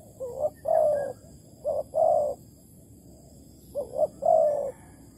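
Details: Spotted dove (tekukur) of Malaysian type used as a decoy in a bird trap, 11 August 2020; three low cooing phrases, each a short double note followed by a longer purring coo, spaced about two seconds apart.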